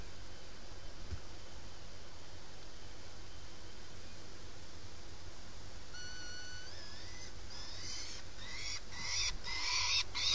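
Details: Peregrine falcon at a nest box on the Torre Garena building in Alcalá de Henares, Madrid, during a night-time prey delivery: a thin whistled note, then a slurred rising tone, then harsh grating bursts that grow louder toward the end over steady low hum.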